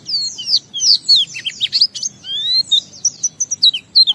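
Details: Crisp Oriental white-eye ngalas song, a lure for other white-eyes: clear, high, down-slurred whistled notes, one long rising whistle, then a quick series of short sharp chips.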